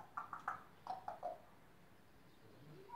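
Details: A grey parrot named Coco babbles nonsense to people in a yard: three quick mid-pitched speech-like syllables, then three falling ones, followed by a soft whistle in quiet surroundings.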